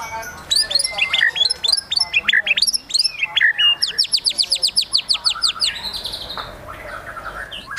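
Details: White-rumped shama in high excitement, a fast stream of sharp high chips and whistles leading into a rapid even series of repeated high notes, then fading softer notes.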